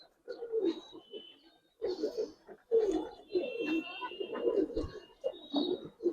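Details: Repeated bubbling coos from several Budapest highflyer pigeons in a loft, in bursts separated by short gaps, with occasional wing flutters and knocks.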